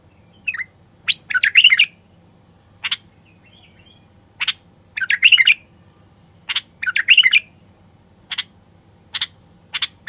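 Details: Wild-bulbul stimulation song from a male common bulbul. Sharp single chips alternate with quick, liquid warbled phrases, roughly three full phrases across the stretch, separated by quiet gaps.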